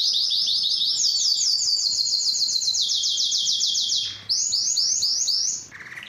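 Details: Belgian canary singing fast, bright trills of repeated rising notes, a brief dip, then another rolling trill that fades at the end.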